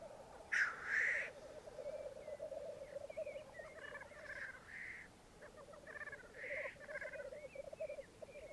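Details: A dozen black grouse cocks and two hens lekking on a Mykland bog one May morning in 2022: two strong hissing sneezes open, followed by rolling bubbling and several softer hisses and short whistles.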